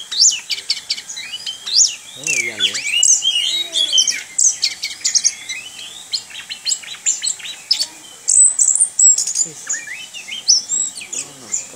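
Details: Caged Orange-headed thrush delivering rolling 'ngerol' song, a long unbroken medley of high twittering notes, rapid slurs and sharp chips, busy and varied throughout, with a brief low wavering sound near the start.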